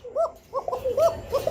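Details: Kokka pigeons, a fancy domestic breed, in pairs at a pigeon farm in Ashulia, Dhaka, calling constantly: repeated hollow, arched coos, about four notes in a second and a half, with faint room noise.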